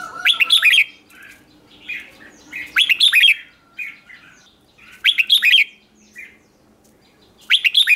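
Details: Red-whiskered bulbul singing as a lure for wild birds, free of other noise: brisk phrases of quick, clear whistled notes with chirps in between repeat about every two seconds over a quiet background.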